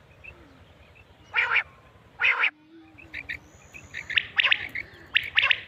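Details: Batair (quail) calling, from a Mianwali cassette used for quail hunting: two harsh broad bursts early, then a run of quick bright chirps that thicken toward the end, with a thin high tone in the background.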